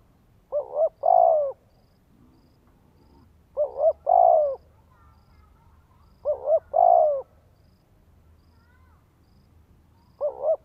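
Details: Spotted dove in Vietnam calling to stimulate a male, with three full low cooing phrases of two short notes and a longer croo, and the start of a fourth, spaced about three seconds apart.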